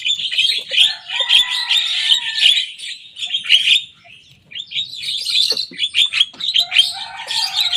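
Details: Young Javan myna singing vigorously and imitating rivals' songs: a dense, continuous stream of high chirps, squeaks and trills with short whistled phrases, briefly dropping near the fourth second before resuming just as busily.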